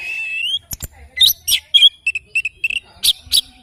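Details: Morning song of an oriental magpie-robin: a sweet rising whistle followed by rapid clipped chips and buzzy notes in a fast uneven string.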